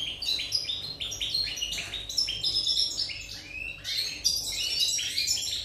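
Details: On 8 November 2019 a European goldfinch sings a steady stream of liquid, twittering notes, with descending chirps and tinkling trills tumbling one after another above a low background hum.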